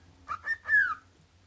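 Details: A cockatiel whistles three quick notes, the last one longer and sliding downward, in a quiet room.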